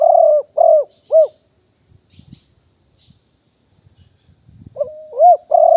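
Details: Spotted dove, a wild bird used as a calling decoy at Nong Khu Phai, recorded live in 2021. Three deep arched coos end a phrase, faint rustles fill the gap, then a new phrase opens with a lead-in note.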